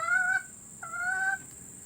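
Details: Two drawn, even, nasal notes from a hen, each under half a second, with a short gap between; recorded for hens about to lay eggs.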